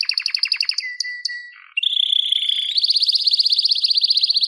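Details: Canary singing a varied song: rapid trills of repeated notes, a steady whistled tone, then a fast high rattling trill at about four notes per second, all clean with no other sounds.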